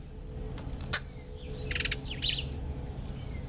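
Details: Black-eyed bulbul, while eating an apple, gives a quick burst of bright, chattering chirps and a few sharp clicks over a steady low rumble of background noise.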